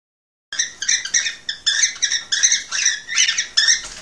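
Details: After a short silence, a male cockatiel sings to stimulate a female to mate: about a dozen rich, buzzy chirped notes in quick, steady succession, each harsh and ringing.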